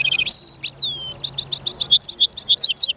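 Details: Caged European goldfinch mule singing: a rapid sequence of high, bright twittering notes, a sustained whistle and sweeping slurred tones, then quick repeated chirps, with a low hum underneath.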